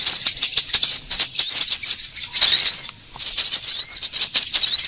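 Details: Sunbird calls used as a trapping lure and as a tutor for cage birds; busy high-pitched chirping interrupted by two short quiet gaps, then resuming with thin rising notes.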